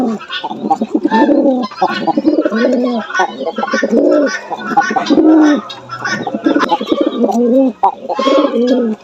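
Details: Jalali pigeons (Columba livia) coo in low, throaty, rolling phrases that overlap almost without pause; a pair being matched after one bird was kept alone in the dark for 15 days, in Bangladesh.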